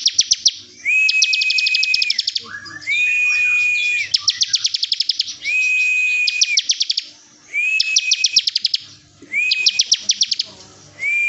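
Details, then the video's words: Bar-winged prinia tutor song in the bren style: bursts of rapid, sharp ticking pulses over a steady held whistle, each phrase about a second or two long, separated by short pauses. "MASTERAN CIBLEK BREN"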